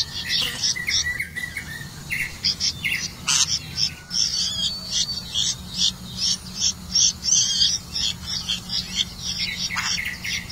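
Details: Red-vented bulbul feeding its young crickets: dense, fast high chirping, nearly three notes a second, with a few sharp clicks and a low background hum.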